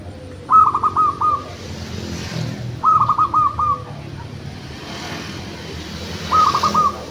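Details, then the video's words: Zebra dove (local perkutut) performing its song, three short phrases of fast stuttering notes with a rolling ending, spaced about every three seconds, over a low background hum and faint hiss. "PERKUTUT LOKAL MAJAPAHIT MANGGUNG GACOR.!!!"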